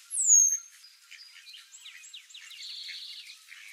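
Golden-crowned sparrow gives one loud, very high, thin note that slides downward, followed by a scatter of soft, quick chips and twitters.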